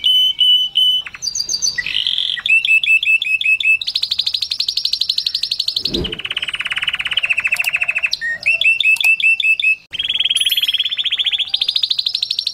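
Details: Canary singing a loud, varied song of high, rapid trills and rolling chattered phrases, shifting between pitch levels every second or two, with a brief low thump midway and no other sounds.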